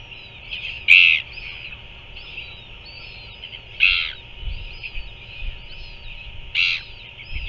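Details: Royal albatross chick being fed by a parent on a nest in New Zealand, 7 February 2024, 5:41 pm. Three short, harsh, broadband bursts come about three seconds apart over a steady chorus of thin whistled chirps from other birds.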